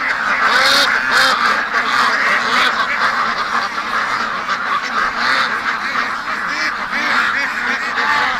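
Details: A flock of domestic ducks, penned on a rainy August day and crowding toward the gate wanting out, quacks nonstop with harsh overlapping calls, several per second, with no clear pauses.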